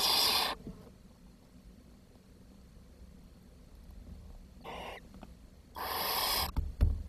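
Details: Nest of young barn owls facing too little food, leaving four surviving chicks; three long, rasping hissing screeches separated by quiet pauses, with faint rustling between them.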